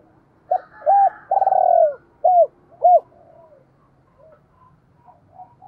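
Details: Spotted dove kept as a decoy, cooing to attract wild birds: one full phrase of two short notes, a long buzzy descending coo and two crisp arched notes, followed by faint softer calls.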